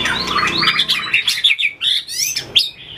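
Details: White-rumped shama in training for competitive singing, flicking its tail and hopping between perches: a fast run of bright, slurred whistles and warbles, rising and falling, ending in sharp separate notes.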